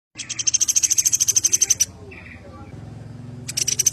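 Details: Sampit singing vigorously, used as a tutor recording for songbird keepers: a fast rattling train of sharp, very high pulsed notes lasting over a second, a pause, then the train starting again, over a low steady hum.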